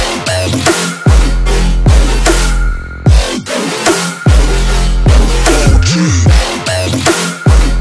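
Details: Loud electronic dance music with heavy bass drops and drum hits, pulsing in bursts, and no bird or other animal voice.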